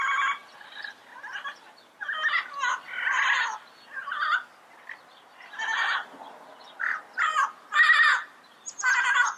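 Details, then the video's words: Yellow-headed amazon calling in a series of rough, harmonic squawks, irregularly spaced, some short and clipped, others longer and louder. "Yellow Headed Parrot Sound Bird Call"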